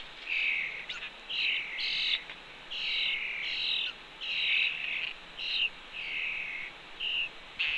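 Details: Fledgling red-tailed hawk staying close to its mother by the fledge ledge of a Cornell nest, afternoon of 2 June 2013; a run of about ten short, harsh, wavering calls repeated roughly every half second to second, over steady hiss.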